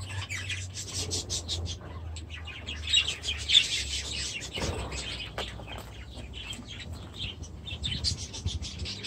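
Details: Several aviary budgerigars, with new chicks present, 23 July 2017, keep up a moderate stream of high twittering and scratchy chirps over a low background hum.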